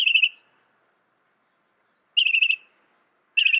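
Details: Northern mockingbird, said to be able to copy 200 sounds, delivering three short, dense chirpy bursts separated by pauses of over a second, bright and high-pitched against an otherwise silent background.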